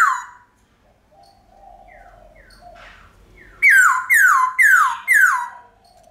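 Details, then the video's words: White-cheeked laughingthrush singing a long, ringing forest-style song, played to spur pet laughingthrushes to sing: after soft, quiet notes, four loud, bright whistles in quick succession, each sliding steeply downward and carrying rich harmonics. "Khướu Bạc Má Hót Giọng Chuẩn Rừng Ngân Dài Cực Hay"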